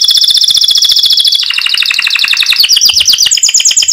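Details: Canary (Serinus canaria) singing the fast 'mecut' style said to make other canaries answer: dense, rapid high trills held steady, then switching at mid-clip to a lower buzzy roll and finishing with quick rising-falling rattled notes.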